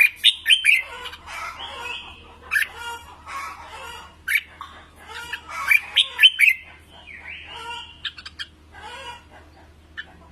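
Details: Red-whiskered bulbul song for voice training: bright whistled phrases with rapid chirpy notes, delivered in bursts separated by short pauses, over a low steady hum.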